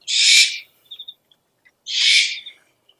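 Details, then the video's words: Two long, breathy, hissing screeches from an owl, about 1.8 seconds apart, with a soft triple chirp between them. Used as a lure call. "SUARA PIKAT BURUNG HANTU - SOUND CALLING OWLS"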